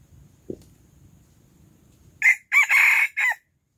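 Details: Silkie rooster crowing loudly in the early morning: after quiet low rumble, a single harsh crow of four bursts, a short opening note then a long strained middle and a clipped ending, lasting just over a second.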